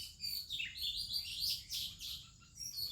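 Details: Morning song of an Oriental magpie-robin in India, other birds also singing: a rapid, dense run of sweet whistles and twittering slurs, rising and falling without pause, over a faint high insect hum.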